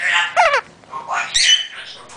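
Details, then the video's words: A pet African grey parrot talking to itself in the background mimics electronic telephone- and robot-like sounds: a rapid warbling zigzag phrase, then bright rising and falling whistles, while a woman talks nearby as she hand-feeds chicks. "And that's my African gray in the background talking. He thinks he's a telephone. He thinks he's a robot."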